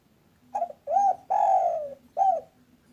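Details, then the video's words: Lively local spotted dove with 'kuk satu' calling, used as lure sound to draw doves: a cooing phrase of short note, arched coo, long descending coo and short final coo, with a steady low hum underneath. "SUARA BURUNG TEKUKUR LOKAL GACOR CEPAT BUNYI"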